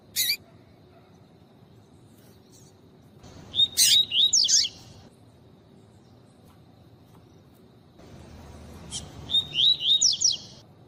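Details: Female double-collared seedeater calling to stimulate males into singing: two bursts of quick, high whistled notes, some slurred and rising, about six seconds apart, after a single short sharp note, over a quiet background hiss.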